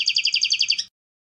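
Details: Brief European goldfinch trill: about ten quick, evenly spaced high twittering notes in under a second, then silence.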